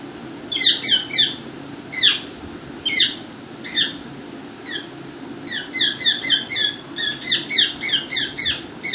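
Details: Parrot indoors giving loud, sharp, high squeaky calls, single notes at first, then rapid bursts of several descending squeaks in a row, over a low steady hum.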